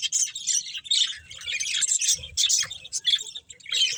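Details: Chirping budgerigars from a breeding pair: scratchy, buzzy warbling broken into quick clusters of high notes with short pauses between.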